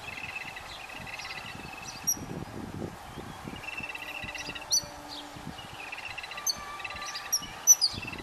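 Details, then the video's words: Yellow-billed babbler adults feeding chicks; bursts of rapid, rattling chatter alternate with short sharp high squeaks, gaps of quiet between, and a soft low hum midway. "Babblers feed their chicks | Yellow Billed Babblers and chicks"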